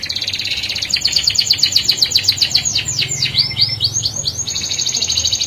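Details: Canary in loud rolling song, used to provoke other canaries: a long fast trill of bright high pulses, several per second, shifting into sweeping looped whistles, with a low hum underneath.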